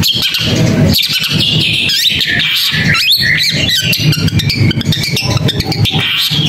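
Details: Long-tailed shrike's varied, rapid song: scratchy chatter mixed with clear sliding whistles that rise and fall, delivered without a break over a low droning hum.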